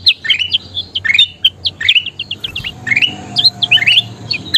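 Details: Kutilang emas bulbul song used to make birds sing more actively: jumbled, bubbly chirps and rising whistles in uneven quick phrases, with a faint low hum behind.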